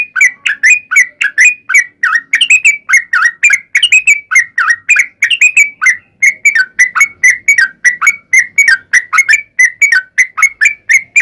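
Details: Sooty-headed bulbul in energetic fighting-style song with long rapid runs, used as a lure to make other bulbuls answer. Quick chirpy whistled notes repeat about three times a second without pause across the whole stretch.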